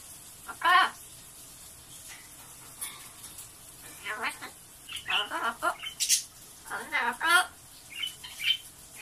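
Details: Blue-fronted amazon kept as a pet, talking in the morning and repeating "otsukaresama" (good work) about eight times; short raspy speech-like phrases in bursts, with pauses between, indoors.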